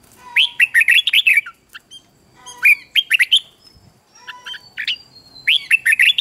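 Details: Red-whiskered bulbul singing as training for young birds: three groups of quick, bright whistled notes, each a rapid tumbling phrase, separated by short quiet gaps.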